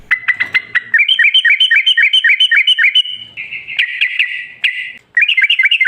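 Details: Yellow-vented bulbul song used as a lure to draw other bulbuls into singing: rapid strings of bubbly, looping notes around the middle-high register, about four a second, with a brief rougher stretch midway and a short pause near the end.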